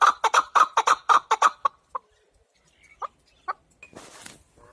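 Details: Chukar partridge giving a quick burst of harsh clucks that trails off into a few scattered single notes, followed by a short rustling noise.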